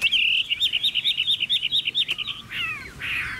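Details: Chinese hwamei singing: a steady string of short, bright whistled notes repeated quickly, then softer descending slurs and a buzzy burst at the end.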